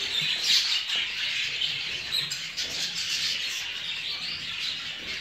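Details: A breeding group of show jumbo budgerigars keeps up a constant mix of chirps, warbles and short whistles, fairly even in volume throughout.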